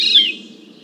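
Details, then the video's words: Veery recorded from about 100 feet away with a parabolic microphone: a single loud, slurred note dropping sharply in pitch, with a faint low murmur of background noise underneath. "Veery 100 feet"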